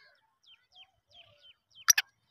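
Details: Black francolin's winter call, recorded 10.11.2023: two loud, harsh, grating notes in quick succession, after a scatter of faint, thin, falling chirps from small birds.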